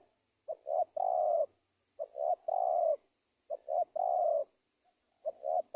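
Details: Spotted dove calling as a trapping lure for wild doves: steady low, hoarse phrases repeated roughly every one and a half seconds, each two quick clipped notes then a long falling coo, four phrases in all.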